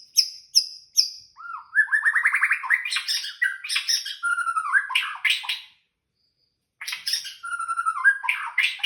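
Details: White-rumped shama singing at night: sharp high whistled notes, then a rapid rising trill and a varied run of slurred whistles and chattering phrases, a one-second pause, then another burst of mixed whistles and twitters.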